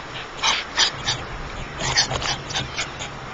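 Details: Three White stork chicks in their nest give a quick, uneven series of short, hoarse, whining squeals, about a dozen bursts over a few seconds, against a faint steady hiss.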